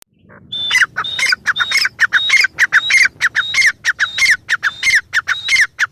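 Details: Female grey francolin calling, a rapid series of sharp, squawky notes, with whistled rising and falling phrases repeated roughly every half second over several seconds.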